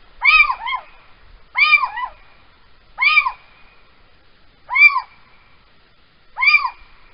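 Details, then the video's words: A little owl calls at night, 3:16 am on 3 March 2020 in Holten, Netherlands: five rich, mewing, rising-then-falling calls, each with a short second note, spaced about every 1.5 seconds in quiet surroundings. "uiltje roept in de nacht"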